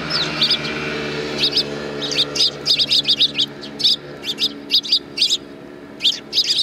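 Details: Sparrows welcoming the recordist on 7 April 2020 during the outward walk, including one with an injured leg; loud, paired and tripled high chirps come in quick clumps about every half second over a low droning hum.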